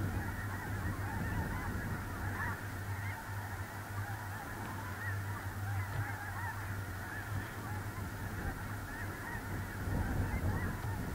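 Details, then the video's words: Large flock of snow geese resting on a small central North Dakota lake in early November 2021, producing a continuous din of overlapping barking honks, individual yelps poking through, over steady low wind. "Snow geese"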